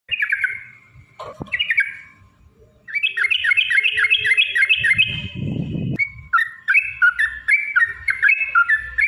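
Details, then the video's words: Yellow-vented bulbul in gacor 'ropel panjang' style, played as a lure to provoke other bulbuls into singing: a brief slurred opening phrase, a pause, then long runs of rapid, bubbly, chattering notes with a low rumble midway. "trucukan gacor TARUNG ROPEL PANJANG pancingan trucukan agar bunyi jadikan burung trucuk gacor EMOSI"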